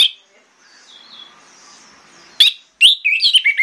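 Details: Orange-headed thrush (Geokichla citrina) song in the morning, used to lure other thrushes to answer: a sharp opening note, a pause, then a quick run of high, varied whistled and chattering phrases, with faint softer chirps.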